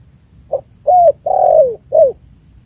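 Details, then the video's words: Spotted dove calling, used as a lure to attract birds: a short soft note, then three low, hollow coos, the long middle one sliding downward. "suara burung tekukur full memanggil cocok untuk pancingan"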